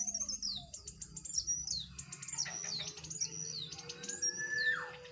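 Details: A wild jongkangan and two caged jongkangan singing against each other: sharp, high whistled notes sweeping downward, mixed with clicks and a long, thin rising whistle near the end.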